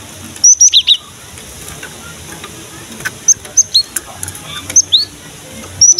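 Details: Gelatik batu (cinereous tit) in energetic song meant to make young or quiet birds of its kind sing: bursts of thin high chirps and short rising whistles, with loud clusters at the start and end, against hiss.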